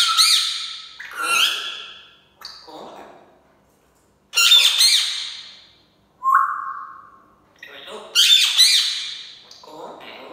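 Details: An African grey parrot says "SubhanAllah" in harsh, raspy, speech-like phrases in bursts about every two seconds, with one clear falling whistle in the middle.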